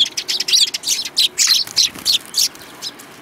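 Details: A spirited sparrow among others, March 2018: a fast, uneven string of loud, high, squeaky chirps, several each second, with no pauses between them.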